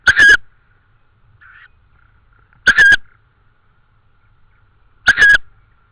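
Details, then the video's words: Tawny owl in Estonia, 24 May 2013 at 21:41, beak clapping after hearing something: three harsh, crackling bursts, each about a third of a second, spaced roughly two and a half seconds apart, with a faint short note between and near-silence otherwise. "Estonian TawnyOwl - 2013-05-24-21h41m - Artur heard someting - beak clap"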